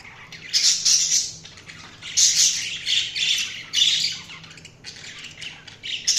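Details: Budgies chirping: continuous high, scratchy chatter and squawky warbles in loud bursts about every second or two, with overlapping voices and a faint low hum underneath.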